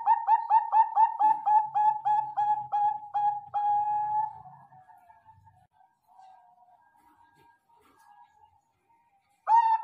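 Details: Zebra dove of the Bangkok type: a quick run of short, soft, mid-pitched coos, about two a second, slurring into a longer trailing coo that fades before a final note.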